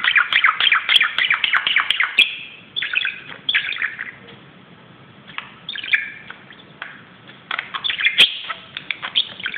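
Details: A budgerigar acting wild on top of a cupboard chatters in rapid, scratchy warbles and clicks, with bursts of chirps broken by brief pauses.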